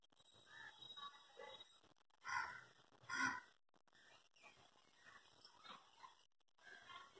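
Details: A Striated (Little) heron, collecting twigs from a tree to build a nest nearby, gives two harsh, hoarse squawks about a second apart, over a low rustling background with faint scattered noises.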